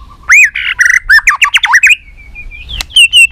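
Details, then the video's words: White-rumped shama in competition fighting song: a loud rising whistle, a rapid run of buzzy, stuttered notes, then a thin drawn-out whistle and sharp high calls. "kích lửa 3 mùa yếu lửa hót đấu lên lửa.chòe lửa nết đập xoay chớm lửa hót đấu"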